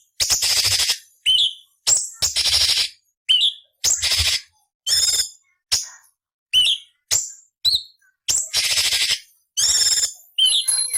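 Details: Training song of a cucak cungkok for murai, cucak ijo and kacer: rapid alternation of harsh rasping bursts and sharp upslurred whistles, repeated steadily with brief pauses, with no other sounds.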